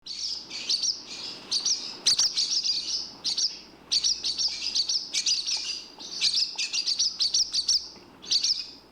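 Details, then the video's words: A barn swallow gives fast, high, chattering twitters in bursts about a second long, with brief pauses between; no other sounds stand out. "Barn Swallow Bird sound"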